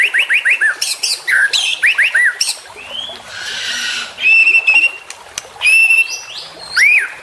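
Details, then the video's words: Young white-rumped shama with a mix of bright rising whistles and a run of quick upward slurs, broken by a burst of noise, with clear whistles between. "Trotolan Murai Juara Supaya Cepat Rajin Bunyi & Gacor"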